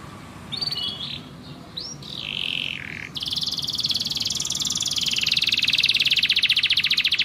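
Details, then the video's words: Canary in full song, played as a master for young or non-singing canaries: a few rising whistled phrases and a descending buzzy slur, then a long, loud, rapid rattling trill building steadily. "MASTERAN 1 JAM KENARI PAUD DAN KENARI MACET PALING CEPAT GACOR"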